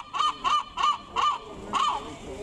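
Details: Gull giving a loud, merry laughing call: five nasal, barking notes in quick succession, each about a quarter second long, with a brief pause before the last.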